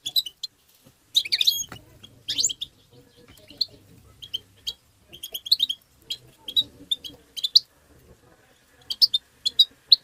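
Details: Goldfinch song in the excited tabtaba style, used to stimulate goldfinches: scattered bright chirps and twittering phrases, some dense bursts, separated by short quiet spells, with a faint low hum.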